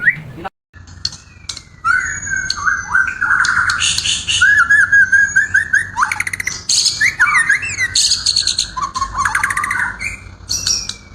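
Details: A white-rumped shama delivers a rich, varied song of long whistles, fast trilled runs and sharp high notes, with phrases changing every second or two.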